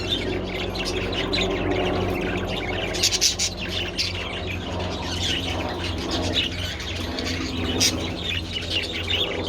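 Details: Budgies enjoying treats in the sun, 27 February, keep up a loose run of high chirps and twittering notes, some louder clicks, over background hum.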